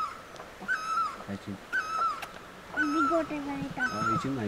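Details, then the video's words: Barbet calling beside the road between Pelling and Gangtok, Sikkim, giving a loud, slightly falling, nasal note about once a second while people talk quietly nearby. "Barbet Calls"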